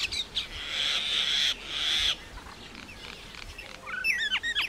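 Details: Indian myna singing: two long harsh buzzy rasps, a quiet pause, then quick rising and falling whistled notes.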